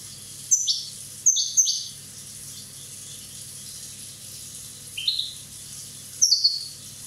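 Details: One-year-old European goldfinch from Corsica with scattered high twitters: two bright bursts close together, a long quiet pause, a single softer slurred note, then one final sharp tinkling burst.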